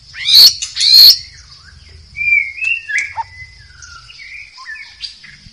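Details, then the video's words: Wild white-rumped shama in a forest: two loud, rasping bursts, then a soft sequence of thin, level and dipping whistles, against a constant high background hum. "SUARA MURAI BATU HUTAN DI ALAM BEBAS"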